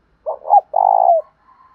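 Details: Spotted dove with a 'thổ pha' voice cooing to spur a fight. Two hoarse clipped notes lead into a sustained throaty purr that dips at its close. A faint higher whistle follows afterwards.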